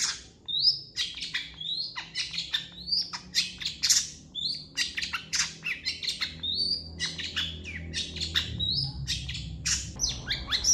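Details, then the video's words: Vigorous master song of a long-tailed shrike for tutoring other birds, a fast stream of scratchy, buzzy chatter notes mixed with short clear whistled slurs, almost without pause for ten seconds. "MASTERAN CENDET GACOR PALING DICARI CENDET MANIA"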